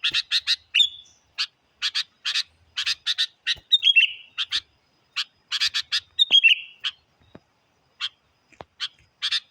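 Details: Lure song of a sooty-headed bulbul, very vocal and used to challenge wild birds: bursts of harsh chirps in quick clusters, broken by short warbled whistles that drop in pitch, with gaps of silence between groups.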